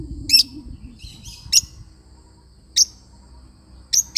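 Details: Pet lovebird parrot giving sharp, high, shrill chirps, single or paired, at irregular intervals about a second apart, with fainter twittering between them and a low rumbling background.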